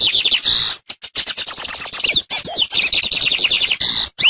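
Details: Lined seedeater (Sporophila lineola) teaching song: a fast, high jumble of metallic chips, buzzy trills and clear upslurred whistles, with only short breaks throughout.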